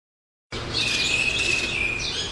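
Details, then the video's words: Birds by a roadside: after half a second of silence, a dense, continuous chatter of high chirps and twitters, with a steady thin whistled tone running through it. "路邊鳥叫聲 小鳥叫聲"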